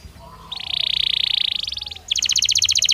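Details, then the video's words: Belgian canary singing naturally: a rough, buzzing trill of about one and a half seconds, a brief gap, then a rapid, regular volley of sharp chips. "Som de 1 Hora com Canario Belga Cantando Naturalmente"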